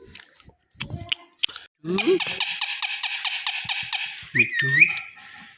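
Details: Pet Indian ringneck green parrot giving loud natural calling and screaming sounds indoors: a rapid burst of harsh, buzzy notes repeated about three per second, ending in whistled rising squeaks, with a few clicks first.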